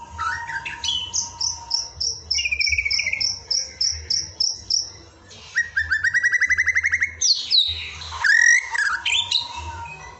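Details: Indonesian masteran isian recording of murai (white-rumped shama) song for training birds: runs of rapid repeated high chips, a buzzy repeated phrase, then fast trills and loud slurred whistles, with a constant background hum.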